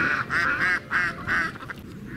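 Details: Mallard at a children's zoo in Chiba, Japan (Tokyo German Village), 10 December 2018, giving a quick run of about six harsh, nasal quacks, several each second, with a low background murmur.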